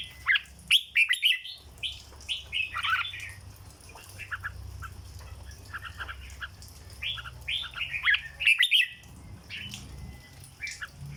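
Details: Caged red-whiskered bulbul with 'dok' style song: two long bursts of rapid, chattering and whistled notes separated by a quieter stretch, over a steady low background hum.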